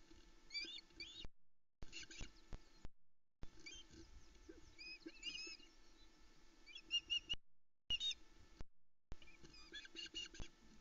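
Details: Nest-cam recording at Loch Arkaig's Arkaig Community Forest, early morning of 10 July 2020, with the male osprey delivering a trout to the female and three young; repeated sharp, high whistled chirps in clusters, broken by brief gaps, with steady background hum.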